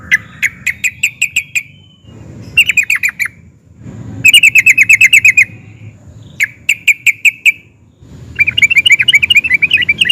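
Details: Excited yellow-vented bulbul rolling and chattering to draw replies from others: five short bursts of quick, sharp repeated notes, some rising and buzzy, separated by brief silences over faint low noise.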